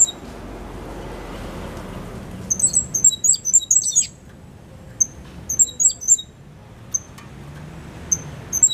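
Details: Young captive Cuban grassquit, five months old, bred in 2022, delivering a high, clear silva australiano song with its tutor-learned trill: a dense run of sharp, tinkling high notes, a pause, then another cluster and scattered single chirps.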